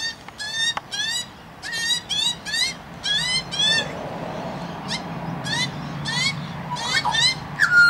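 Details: Recently fledged magpie begging while an adult feeds it in a yard with food and water: clusters of rapid, harsh, rasping notes in quick runs, separated by short pauses, with quiet background hum.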